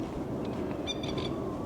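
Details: Masked lapwing (plover) at a caravan park in Kingscliff, northern NSW, just behind a van; it has a chick and had been cranky with passers-by. It gives a quick burst of three or four harsh, strident, high metallic notes over a low wind or traffic rumble.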